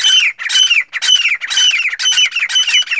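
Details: Male black francolin, teetar, calling to a female: loud scratchy notes sliding downward, packed in quick overlapping groups of two or three, repeated steadily with no other clear sounds.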